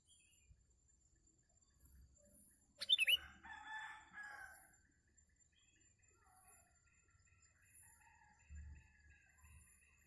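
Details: During a bird-trapping outing, a sooty-headed bulbul gives one sharp chirp burst followed by a brief scratchy warble, then quieter whistled notes from other birds over low background rumble.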